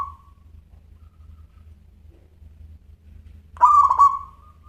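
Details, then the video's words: Actively singing local zebra dove with a clear voice: the tail of one coo fades at the start, then a single rapid stuttering cooing phrase follows near the end. Low background hum throughout. "Perkutut Lokal Gacor Suara Kristal"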